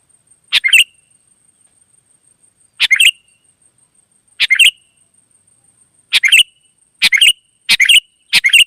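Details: Wild sooty-headed bulbul singing briskly in response to other birds, giving short chirpy phrases that begin with a sharp click, widely spaced at first and then coming about once a second, over a faint constant high hum.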